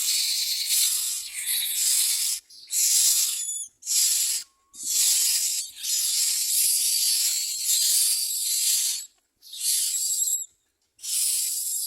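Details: Hungry myna chicks give loud, harsh hissing begging bursts as a parent arrives to feed them crickets, each lasting one to two seconds and repeated almost continuously, with a few brief whistled notes between.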